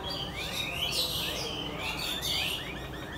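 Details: Two house sparrows (goraya), filmed with a phone, chirping continuously: quick rising tweets one after another at an irregular pace, several overlapping in places, over a constant low background noise.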